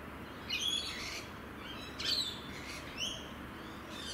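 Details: Rainbow lorikeet in Australia: three harsh, screechy squawks spaced about a second apart over steady low background hiss.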